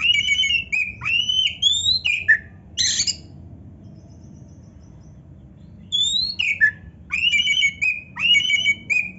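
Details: Oriental magpie-robin in 'full isian narung' song: sweeping and level whistles with a buzzy burst, about four seconds of quiet, then the same kind of whistled phrases return.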